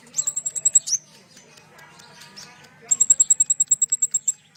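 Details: Sunbird song for provoking captive birds to sing, with two fast, metallic high trills of even ticking notes, the second longer at about fifteen notes, separated by a quiet pause.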